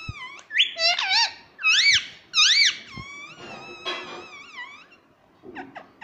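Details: Talking parrot that says mummy, giving squeaky, sliding, whistled syllables in quick succession, then a long wavering tone that fades into soft scratchy sounds.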